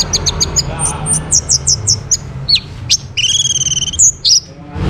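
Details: Orange-headed thrush song from North Bali, Singaraja, meant to trigger other birds' singing: rapid high ticking notes, descending sharp slurs, then a sustained buzzy two-toned trill and squeaky whistles, over faint background hum.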